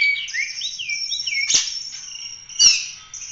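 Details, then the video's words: Oriental magpie-robin song for training other birds, opening with looping whistled slurs, then long high thin notes broken by two sharp clicks. "Kacer gacor ful roll tembak cocok buat masteran"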